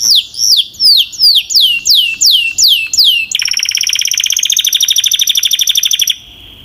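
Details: Canary singing a series of loud downward-slurred whistles about three per second, followed by a fast, rattling trill lasting three seconds.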